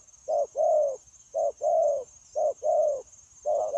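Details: Spotted dove, a wild-caught adult held as a trapping decoy, cooing continuously on 9/1/2024; clipped short note followed by a drawn-out warbling coo, each pair about a second apart, with a thin constant high-pitched tone behind.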